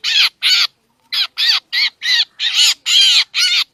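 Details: Black drongo trapping lure: two harsh notes, a half-second gap, then a run of rasping, buzzy calls of varying length, roughly three per second.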